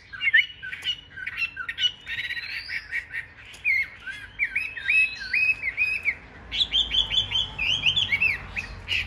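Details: Chinese hwamei, a big caged bird in fighting display, pours out rich song: slurred whistles, then rapid runs of repeated looping notes that grow faster toward the end.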